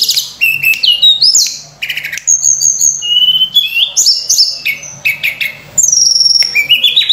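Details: Sunda robin pouring out a varied fill-in song used as a lure for other birds: stepped whistles, long level tones, short rising slurs and crisp chips in quick succession.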